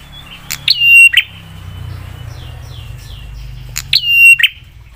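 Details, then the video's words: Prinia singing to provoke replies from other prinias: two loud phrases about three seconds apart, each a click, a held high whistle and a buzzy end, with a faint stuttering series of notes and low hum between. "Prenjak suara PEDAS bikin prenjak lain cepat nyaut dan emosi"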